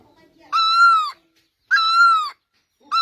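Great barbet giving loud, nasal, slightly arched mewing notes, each about half a second long, repeated roughly every 1.2 seconds in a quiet setting.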